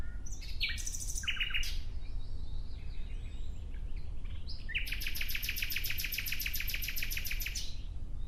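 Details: Nightingale in full song: a quick jumble of varied chirps and buzzy notes, then a loud, rapid, rattling trill of identical notes lasting about three seconds, over a constant low background hum.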